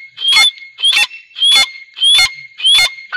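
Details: A pair of grey francolins gives loud, shrill, harsh notes, repeated about every two-thirds of a second, over a faint steady high whine.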